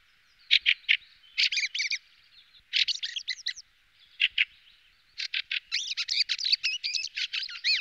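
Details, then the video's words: Fieldfare song: rapid, high chattering notes in short bursts, mixed with squeaky, warbled phrases, ending in a longer jumbled run of squeaks. "Birdsong Fieldfare Thrush"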